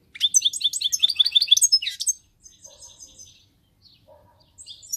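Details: Rapid, bright twittering of a European goldfinch, dense jingling chirps for two seconds, followed by softer scattered notes and a brief final burst.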